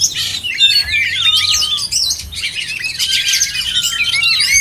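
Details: Contest oriental magpie-robins singing together: rich varied whistles, including long clear descending slurred notes, mixed with fast chatter and trills from several birds at once.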